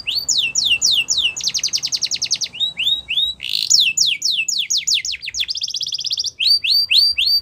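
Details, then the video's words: A Yorkshire canary delivers training song for young birds. Tours of falling whistles alternate with fast buzzy trills and rolled phrases, each tour repeated rapidly and switching every second or so. "The Best Canary Training Song | Yorkshire Canary Singing"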